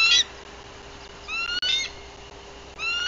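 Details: Alert vocals from a watchful female bald eagle at a Tennessee nest in mid-April, filmed by livecam. Brief, shrill rising whistles come in short bursts separated by pauses, over a faint constant hum.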